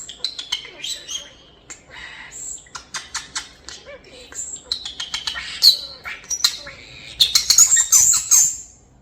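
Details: Two hand-raised one-year-old European starlings, kept as pets after falling from the nest as babies, June 2025, talking and imitating sound effects: a rapid jumble of sharp clicks, chirps and high whistles in dense bursts, with a woman's voice faintly behind.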